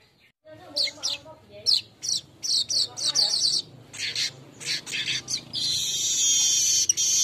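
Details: Lure song of a golden-headed weaver for teaching caged birds. Rapid, uneven, scratchy chirps and chatter over a low background murmur end in a long, steady, high buzz.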